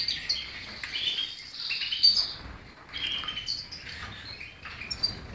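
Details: European goldfinch song, a rapid high twitter of chirps and short whistled phrases coming in bursts, with brief pauses between phrases.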